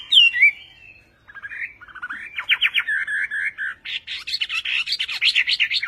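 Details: Chinese hwamei in Vietnamese song style: a clear looping whistle, a quiet gap, then buzzy stuttered notes building into a fast series of sharp, rising chirps.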